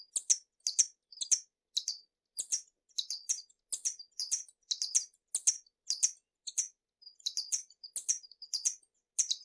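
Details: Hummingbird giving steady, continuous high, sharp twittering notes, squeaky clusters packed closely together for nearly ten seconds, each with a piercing, metallic edge. Quiet background.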